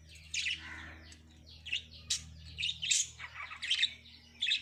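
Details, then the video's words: Breeding lovebirds singing with clear, high, piercing chirps and short squeaky phrases repeated in quick, uneven bursts over a quiet background. "Love Birds Singing"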